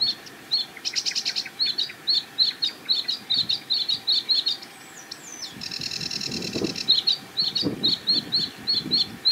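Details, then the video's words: A sedge warbler singing from a treetop at the edge of a marsh with a reedbed gives a fast, chattering run of repeated dry notes, broken by harsh buzzy trills and a few rising whistles. "SEDGE WARBLER Singing & Calling"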